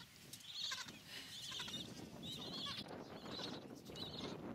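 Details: Colony of Gentoo penguins, Carcass Island, Falklands, recorded 21 January 2019: a series of pulsed, whinnying brays, roughly one a second, ring out loud above a dense, murmuring background of other penguins calling.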